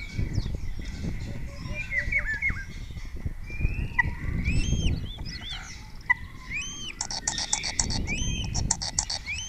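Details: Spotless starling at Cabañeros National Park, Spain, singing before a webcam and answered by other starlings, mixing in imitations of orioles, kites and other birds. Varied short chirps, slurred whistles and a buzzy rapid pulsed burst near the end, over low background rumble.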